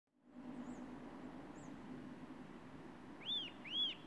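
Eurasian nuthatch giving two loud, arched whistled notes half a second apart near the end, over steady rushing background noise and faint thin high notes earlier.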